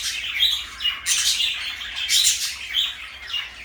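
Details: Blue and light yellow pet parakeets chirp and twitter sharply, with a few clear whistled notes among the scratchy chatter.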